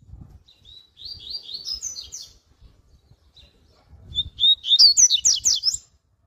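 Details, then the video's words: A Double-collared Seedeater sings a strong, fast "tui tui" warm-up song: two quick, high, twittering phrases of sweet slurred notes, the second louder and richer, with soft low thumps underneath. "ESQUENTA DE COLEIRO"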